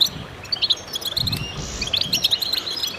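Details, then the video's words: Short burst of goldfinches singing together to stimulate birds: high bright chirps and quick twittering phrases, over a few soft low rumbling knocks. "voices a chorus of goldfinches in concert to stimulate birds"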